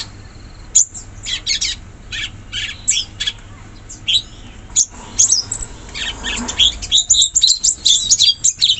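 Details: Wild sooty-headed bulbul in forest, delivering a dense run of high, sharp chirps and squeaky notes in quick bursts, growing busier and more continuous toward the end.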